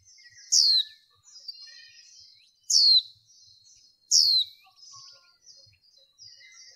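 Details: Female white-eye kept for training, calling to excite males: high, downward-slurring notes at irregular intervals, trailed by quieter twittering and faint chirps.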